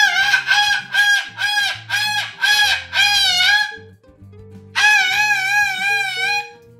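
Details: Pet Moluccan cockatoo perched indoors, vocalizing loudly while its owner talks to it: a series of harsh, raucous screeches in rapid pulses, a short pause, then one long, strident screech, with background music.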